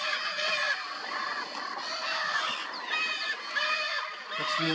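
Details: Several wild Lear's macaws of Brazil calling together near a nesting ledge: a steady chorus of coarse, nasal squawks, overlapping and rising in bursts, with faint human voices.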